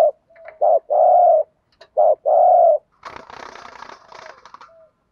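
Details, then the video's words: Decoy spotted dove in 'thúc gù' cooing style for luring: two sets of a short coo plus a longer held coo, followed by a burst of scratchy rustling noise. "chim cu mồi bài bản THÚC GÙ bài bản nhất hiện nay, cu cườm bài bản dùng kích bổi hiệu quả"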